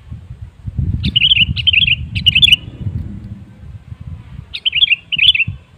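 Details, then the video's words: Bubbly whistled phrases of a sooty-headed bulbul, played to encourage other birds to sing; three short phrases in close succession, a pause, then a fourth, over a steady low rumble of background noise. "Suara Pancingan Burung Kutilang"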